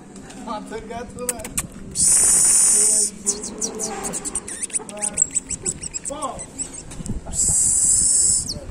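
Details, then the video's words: Creole canary nicknamed el olímpico singing: two long, loud, buzzy high trills separated by rapid clicking and descending chirps, with human voices and other lower sounds mixed in. "Mi canario criollo el olímpico ya saliendo firme"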